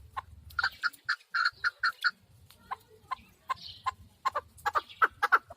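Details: Chukar partridge giving short, sharp clucking notes in quick bursts of four to six, separated by brief pauses, with scattered softer notes between and a faint low rumble underneath.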